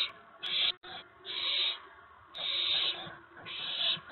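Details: Owlets in a nest around 8 PM on April 19, 2017, while parent owls bring food. Four long, smeared hissing screeches over a noisy background, with sharp clicks and a brief dropout near the start.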